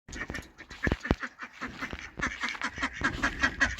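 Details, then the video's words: Male and female ducks feeding together, quacking in dense, overlapping bursts of short nasal calls, with clicking and pecking noises between them. "Duck Sounds ||Quacking Sounds Of Ducks||"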